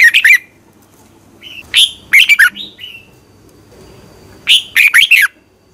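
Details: Red-whiskered bulbul singing in the morning, a competition song used as a lure to train birds; several short phrases of rapid warbled, slurred notes with brief whistled fragments between, over a quiet background hum.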